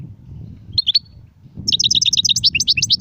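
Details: Goldfinch song in sirfati, gzirati and tsersir styles: two soft chip notes, then a lively rapid sequence of sharp, bouncing tinkling notes above a rumbling low background.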